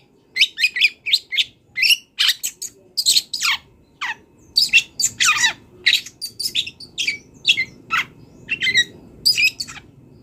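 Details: Long-tailed shrike, a wild bird, in full song with borrowed fill-in phrases: a steady stream of scratchy, squawking notes and short grating bursts, about two or three a second, over a faint low hum.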